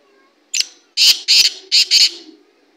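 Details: Black francolin calling: a short sharp opening note, then four loud, harsh, grating notes in two quick pairs, over a quiet background.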